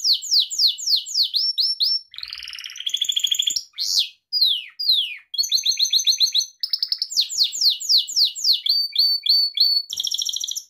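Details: Gloster canary singing nonstop, switching quickly between trills of falling chirps, a rising buzzy phrase, sharp sweeps and metallic repeated notes. Recorded to train pet canaries.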